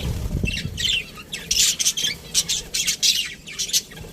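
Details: Budgerigars in an aviary producing rapid, bright scratchy chirps in closely spaced bursts, a lively chatter from several birds after a low thud at the start.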